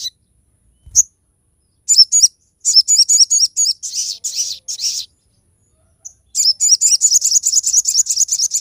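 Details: Crested jay in full song with sharp shot phrases, used for tutoring and drawing other jays into song: bursts of rapid, buzzy, high twanging notes in two long bouts separated by a short silence, with a raspy texture throughout.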